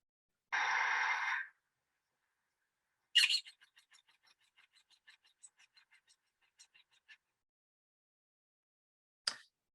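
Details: A New Zealand falcon (kārearea), which calls during very fast straight flight, gives a harsh burst, then a quick series of sharp, high chattering notes that slow and fade over about four seconds, after a noisy rasp.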